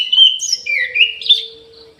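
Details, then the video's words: Orange-headed thrush in an aviary singing a short, loud phrase of fluid whistles that slide down and back up, fading out at the end. A faint steady hum continues in the background. "ANIS MERAH GACOR"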